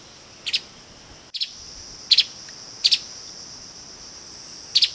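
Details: Streaked spiderhunter calling in quick doubled chips, five paired notes at uneven intervals, piercing and high, with a continuous shrill buzzing drone behind and a brief click.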